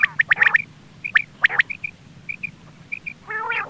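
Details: Hunting-lure quail calling: a rapid cluster of sharp ticks, then scattered clicks and short high paired pips, ending in a grating buzzy rasp, with low steady hum behind.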